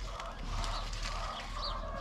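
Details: Free-range laying hens give loud, repeated clucking cackles, made especially around morning laying time, a few short notes in a quick run; a low hum and faint voices sit underneath.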